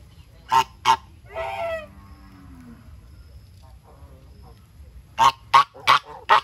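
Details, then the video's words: A flock of farm geese feeding: two short sharp honks, then a longer wavering nasal call, a quiet stretch, and finally a quick series of four abrupt honks in close succession. "Beautiful Goose are eating their food"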